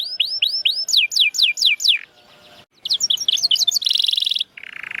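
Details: Canary song for prompting silent birds to sing: looping upswept whistles, then crisp descending notes, a brief pause, a chattering phrase, a dense buzzy trill and a lower rattling burst.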